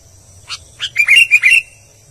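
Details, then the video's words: Song of an albino sooty-headed bulbul. Two sharp chips lead into a rapid run of liquid, warbling whistles, all over within a second and a half. "BURUNG KUTILANG ALBINO GACOR"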